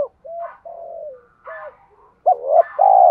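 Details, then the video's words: Urging cooing of a spotted dove, used to make a decoy bird answer: a few soft level hoots with a falling drawn-out note, then a sharp rising coo and a loud sustained final coo. "Tiếng chim cu gáy thúc cực đỉnh dùng kích bổi mở lên là gáy 100%"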